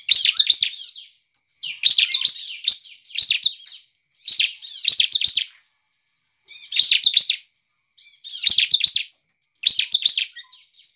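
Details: Energetic bar-winged prinia song, used to goad other prinias into singing back: dense clusters of piercing, high chirping notes in bursts up to a second long, separated by brief silences.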